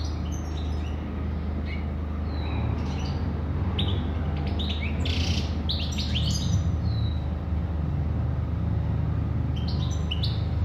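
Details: European goldfinch song in short scattered bursts of high, sharp twittering notes separated by pauses, with a constant low hum in the background.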